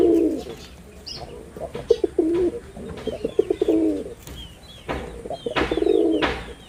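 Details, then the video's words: Male wild pigeon (Jalali/deshi type, red-bordered) giving deep, throaty rolling coos in repeated bursts, with faint high chirps of small birds in the background. "লাল বডার বুনো কবুতরের অসাধারণ ডাক || Pigeon Sound Effect || Male Pigeon Super Performance"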